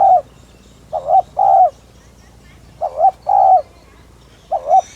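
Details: Spotted dove, Streptopelia chinensis, cooing to lure or stimulate other doves; low mellow coos in paired phrases, a short wavering note then a longer flat one, repeated about every two seconds over a quiet background.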